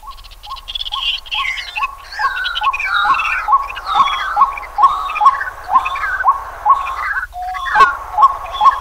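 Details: White-breasted waterhen (Amaurornis phoenicurus) in Pingtung County, Taiwan, 23 May 2020, giving a steady series of short, mid-pitched croaking notes, about two per second, under busier higher warbling and chattering.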